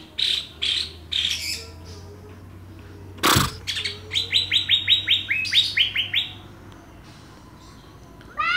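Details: Greater green leafbird from Banyuwangi or Kalimantan, compared for song content: bright whistled phrases near the top of the range, a rapid run of about ten clipped repeated notes, one sharp loud click midway, then a rising flourish at the end.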